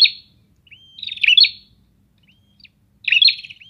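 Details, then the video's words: Lively exchange between prinias: a buzzy trilled phrase with bright chirps, a rising thin whistle before it, a gap with a faint short whistle, then another stuttering phrase ending in a small upslurred note. "Suara Ocehan Burung Prenjak"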